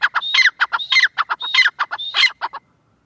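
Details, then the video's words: Francolin pair, called irani teetar, giving a rapid series of harsh, ringing notes with buzzy rising and falling phrases repeated about every 0.6 seconds, clean and loud with no other sounds. "Teetar pair ki awaz | irani teetar ki awaz"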